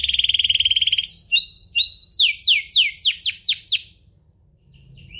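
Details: Domestic canary song used to provoke rival canaries: a fast buzzy trill, clear upslurred whistles, then a rapid run of falling sweeps before the bird goes quiet.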